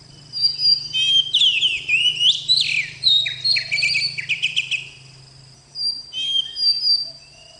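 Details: High, varied song of an Oriental magpie-robin, with whistled slurs and a rattling burst of repeated notes, then a pause and a softer phrase, all above a constant low hum.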